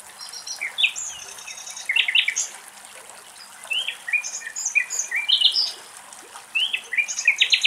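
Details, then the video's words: Common nightingales singing in a forest beside a river in Greece while cows cool off on the banks; varied phrases of clear whistles, rapid chirps and buzzy trills come in bursts with short pauses, faint flowing water beneath. "Αγελάδες στο Ποτάμι και Αηδόνια Κελάηδημα"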